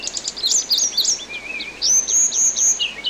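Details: Training recording for songbirds with orange-headed thrush song: clustered, twisting high whistles, a wavering lower whistle, then arching, ringing whistled notes repeated several times.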